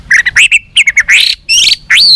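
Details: A tame, uncaged White-rumped shama gives a rapid run of loud, clear whistled notes, some rising and slurred, in quick succession with short pauses between phrases.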